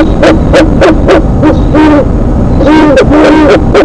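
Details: A bird perched above its nest chats with its mate at 8:35 PM on April 4, 2017. It gives a rapid run of short, hollow, hoot-like notes, about three per second, loud and slightly distorted, with some overlapping calls.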